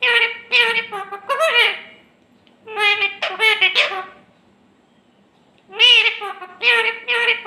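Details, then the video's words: Pet parrot speaking clearly in Hindi-style words, three bursts of speech-like phrases with strong harmonic voice, separated by short silences, indoors. "Clear Voice Talking parrot 🦜 इतना अच्छा और स्पष्ट बोलता है"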